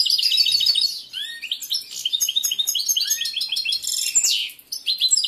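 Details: A breeding-condition male European goldfinch sings in a cage while the female pays no attention: long, varied run of tinkling twitters, slurred whistles and buzzy trills, with a short pause near the end.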